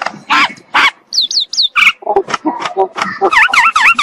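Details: In the morning a common myna mixes sharp chucks and high looping whistles with lower gurgling notes, finishing with rapid repeated V-shaped whistles.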